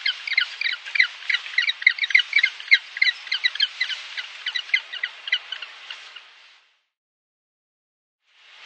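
Penguin squawking, a rapid run of harsh, nasal pulses about three per second for six seconds, then a pause before another call begins.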